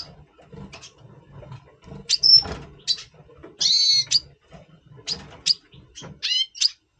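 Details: Before breeding, November 2023, a double pastel red siskin gives scattered high tweets, then harsh buzzy rasping notes and stacked chattering phrases, separated by short pauses over low murmuring noise.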